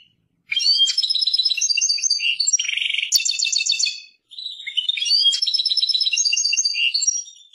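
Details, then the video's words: Persian goldfinch song from a European goldfinch: two long bursts of rapid bright twittering with a buzzy rattle and sharp tinkling notes, separated by a brief pause. "Persian goldfinch songs اواز سهرهاي اروپاي"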